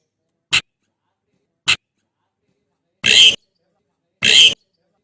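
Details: Javan pied starling calling its mate: two short dry clicks about a second apart, followed by two longer harsh, scratchy screeches with clean silence around each note.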